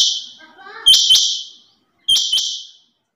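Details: A female rain quail gives two loud, clipped double-note calls about a second apart. Each call is high and grating and fades quickly, with faint clicks and a soft warbling tone before the first.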